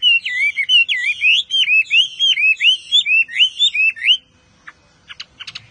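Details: Chinese Hwamei in intense song: a rapid chain of looping, whistled notes for about four seconds, followed by a few faint clicks and then quiet.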